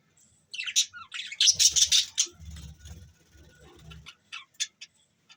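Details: Several budgies chirping on December 25, 2023: a dense cluster of sharp, high squeaky notes, then sparser single chirps, with soft low knocking beneath.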